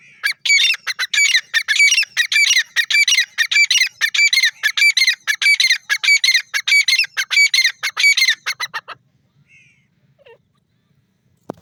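Grey francolin giving a loud, shrill run of harsh, rapidly repeated squealing notes.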